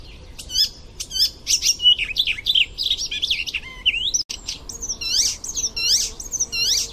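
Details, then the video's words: An Icterine warbler, used as a song-training recording, sings a fast, restless run of varied high notes with sweet whistles, sharp chips and nasal, chattering phrases with barely a pause, over a faint low hum. "Suara Burung Icterine warble Gacor Full isian"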